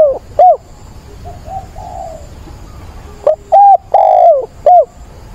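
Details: Decoy spotted dove calling for a mate on 17 September: soft distant coos, then a loud, close phrase of hollow short coos around one long sliding note.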